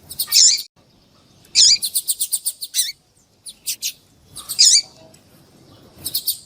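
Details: High-pitched white-throated seedeater song mixed with a female calling, meant to warm up a male: bursts of quick sharp repeated notes, sweeping chirps and short silent gaps.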